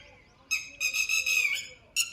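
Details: Red-wattled lapwing calling at sunset on a farm plot the day after good rain, as people enter; it may have eggs there and keeps calling. Loud, shrill, harsh alarm calls come in three bursts, the middle one long and strident; faint speech.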